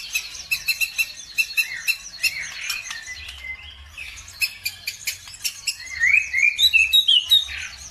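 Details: Songbird lure recording meant to provoke other birds into singing: rapid high chirps repeated about three times a second, with overlapping twittering and a few bright rising whistles near the end. A low rumble runs underneath.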